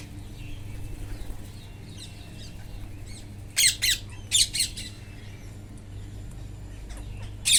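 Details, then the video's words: Wild parrots feeding, heard in their natural setting: a few harsh, raspy squawks in two quick pairs midway, then one more at the end, over a steady low rumbling background and faint distant chirps. "wild parrots // eating talking // natural sound"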